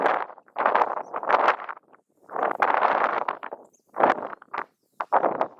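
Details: Southern screamer giving loud, coarse honking screams in three grouped runs, each made of dense, raspy pulses, with gaps of quiet between bursts.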